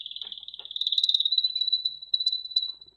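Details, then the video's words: Red factor canary singing a rapid, thin, high trill held at one pitch for about three seconds, with bright sharp accents near the middle and end. "Red Factor Canary Finch Singing Exhibition"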